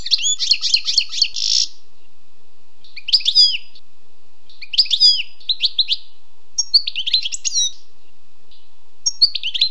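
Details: Song of a wild European goldfinch, opening with a quick liquid twittering run, followed by short separate bursts of tinkling, slurred notes set apart by pauses of a second or so.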